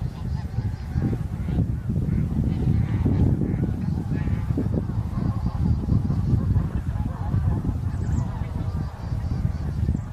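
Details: Leucistic bean goose, a partly white winter visitor met by chance on March 9, 2021; a dense, continuous chorus of deep, rough honking from many geese fills the recording with a low rumble.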